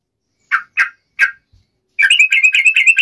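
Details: Sooty-headed bulbul, locally trucuk, sung as a lure to make a rival answer: three spaced burry notes followed by a fast, choppy chattering phrase.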